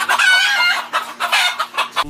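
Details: Hen, a female chicken: a loud, harsh, harmonic squawk lasting most of a second, followed by a series of short, clipped clucks, with a steady low electrical hum throughout.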